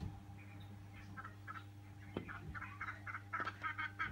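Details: Harsh, cackling squawks from a colony of noisy friarbirds visiting a house to feed on a flowering tree, coming in quick uneven bursts over a steady low hum.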